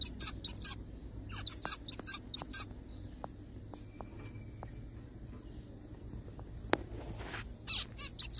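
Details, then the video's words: Little zebra finch crying in the forest: clusters of brief buzzy calls at the start and end, with quieter ticking sounds between over a constant low rumble. "I found a little bird crying in the forest : zebra finches sounds."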